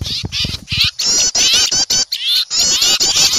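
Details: Noisy small birds, frightened at seeing an owl, in a bird-luring recording: rapid high chips and squeaky twitters from several birds, broken into short bursts, with a short pause around two seconds.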